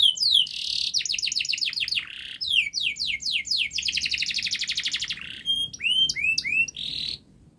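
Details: Canary singing a long, fast, dense song meant to prompt young canaries to start singing: a sharp buzzy burst, quick runs of downslurred notes, a sustained rapid trill, then upswept whistled syllables and a closing buzz.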